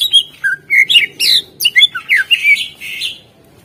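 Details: Greater green leafbird (cucak ijo) singing energetically as a lure for silent birds: a continuous stream of loud whistled slurs, chips and buzzy trills, varied and rapid, ending in a drawn-out rasping note.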